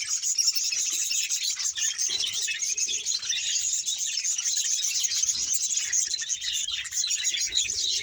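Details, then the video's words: Steady high chattering from a Bahawalpur budgerigar colony of about 100 pairs, a dense even haze of tiny chirps and twitters with no single bird standing out, a few faint low knocks. "100 pear budges parrot colony# bahawalpur budges sound"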